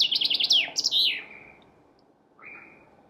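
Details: Chaffinch singing: a quick run of high chipping notes that slides down into a short flourish, then a fainter, lower buzzy note after a pause.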